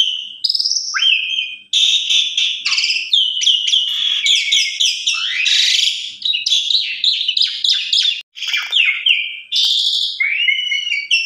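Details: An Asian pied starling pours out a loud, pumping lure song crammed with varied fill, intended to get other starlings singing: fast harsh chatter, buzzy trills and sweeping whistles run almost nonstop, with short pauses between bursts.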